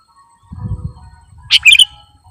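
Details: Sooty-headed bulbul lure recording for attracting birds: after a soft low rumble, a single burst of several quick, sharp, high chirping notes runs together near the end.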